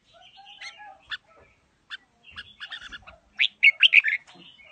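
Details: Red-whiskered bulbul, forest-voiced, singing đá lân style: scattered short whistles and brief chattering phrases that build into a loud, quick series of slurred notes.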